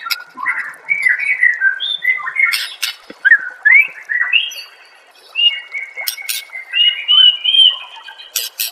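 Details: White-rumped shama song, master recording for training songbirds: a long varied sequence of whistled slurs and trills, interrupted by scratchy buzzy bursts and one quiet pause.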